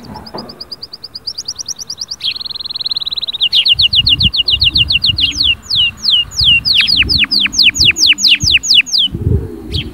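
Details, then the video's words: Spirited canary song meant to rouse a silent canary: thin fast chips, a smooth high roll, then steadily repeated sweeping notes that grow louder and slower, with some low background noise. "اياك وتقول عصفوري الكناري ساكت أدخل عليه البهجة بالمقطع الاكثر تحفيز نار نارcanary"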